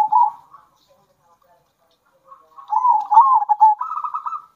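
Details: A local zebra dove, in a mix of calls used to provoke other doves, gives a short soft coo, pauses, then a longer phrase of rolling, trilled coos ending in a rapid purring stutter.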